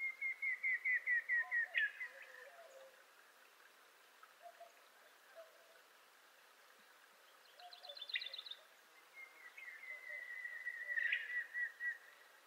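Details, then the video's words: Montezuma quail of western North America giving a call of about nine quick whistled notes that step down in pitch over two seconds, followed later by a long, slightly falling whistled series. Other birds chirp and trill in the background. "Bird Songs Western North America-Montezuma Quail"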